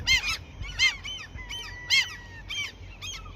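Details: Gulls being given food near a fishing spot they defend; loud ringing yelps spaced apart, mixed with a drawn-out level mewing note and quieter calls from other birds of the flock.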